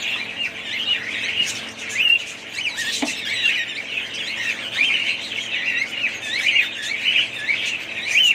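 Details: Busy budgerigar chatter: rapid rising and falling chirps and twittering notes overlap steadily, with a brief dull knock near the three-second mark.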